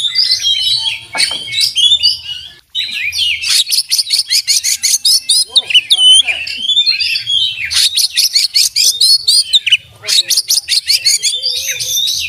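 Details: Kacer, an oriental magpie-robin, in full song loaded with imitated fill-in phrases learned from tutor birds: long runs of rapid, harsh repeated notes alternate with sweet slurred whistles and a few brief gaps, loud and continuous throughout.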